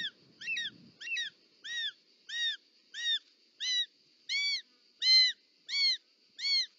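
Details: Short-toed snake eagle calling at its nest during a snake delivery by the mother, Parc Natural dels Ports, Catalonia, 18 July 2024; a brief low rustle opens, then eleven arched, harmonic notes repeat at an even pace.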